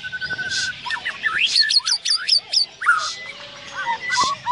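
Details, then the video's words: White-rumped shama in full song at the Landak bird contest, 15 October 2017: varied rising and falling whistles, sharp upswept notes and buzzy bursts, with other caged songbirds calling in the background. "Suara Burung Murai B0G3L"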